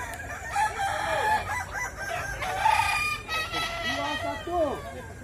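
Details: Competing Kukuak Balenggek roosters in West Sumatra crow in bursts of bright, layered notes ending in short downward slurs, other cocks joining, with people talking nearby.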